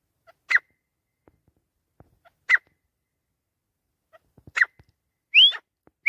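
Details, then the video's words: Grey francolin (teetar) giving sharp, abrupt notes about two seconds apart, ending with one clear upward-sweeping whistle. "Teetar Ki Awaz"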